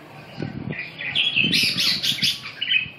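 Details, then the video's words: Red-whiskered bulbul giving a lively burst of warbled, slurred whistles that rise into a dense, chattering run, with a few low knocking sounds early on. "Kênh về chim Chào mào"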